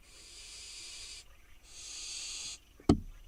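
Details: Two long, rasping hisses from wild barn owl fledglings begging on a nest box in Israel while waiting for dinner, followed by a single sharp knock.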